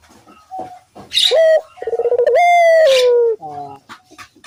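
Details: A single Barbary dove coo, played as a lure so other doves join in, starts with quick throbbing pulses and stretches into a smooth descending note, with soft background chatter.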